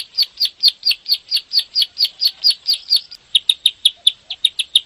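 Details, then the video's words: Bar-winged prinia master song, nembak ngebren style, for prompting caged birds to sing. Buzzy repeated chips for three seconds, then a brief pause and crisper, quicker clipped notes continue the run. "SUARA MASTERAN BURUNG CIBLEK SAWAH/PRENJAK SAWAH (KLIK) GACOR NEMBAK NGEBREN RAPET PANJANG"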